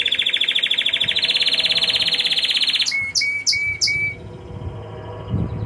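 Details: Intense yellow Belgian canary singing hard: a fast, even buzzy trill held for about three seconds, stepping slightly higher midway, then four short, clear, whistled notes in quick succession over a faint low hum.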